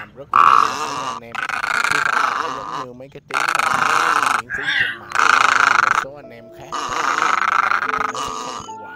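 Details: Egrets, recorded for night net-trapping of migrating birds, give drawn-out grating croaks in five or six bursts with brief pauses between them. Soft higher chirps sound in the lulls.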